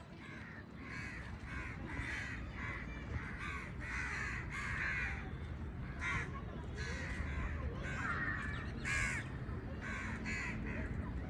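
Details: Birds calling, heard as harsh, cawing notes in short bursts that come every half second to a second, some overlapping, over a steady low rumble throughout.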